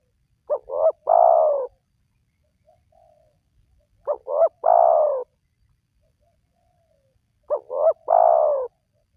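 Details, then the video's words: Lure recording of a spotted dove to draw wild doves into calling. Three evenly spaced phrases about three and a half seconds apart, each a short stuttering double note followed by a sustained, gently falling coo. The background is quiet. "Jitu 100% Pemancing Burung Tekukur Yang Malas Bunyi,Langsung Rajin Bunyi"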